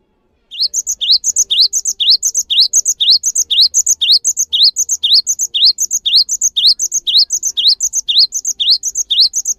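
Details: Java sparrow song, played to make caged birds sing: a steady, fast stream of high twittering chirps in repeating rising-then-dipping figures, continuous for about nine seconds after a brief silent start, with no other sounds.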